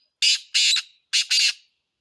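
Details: Black francolin calling with four harsh, rasping notes in two paired groups, the second of each pair longer, delivered loudly and clearly with no other sounds.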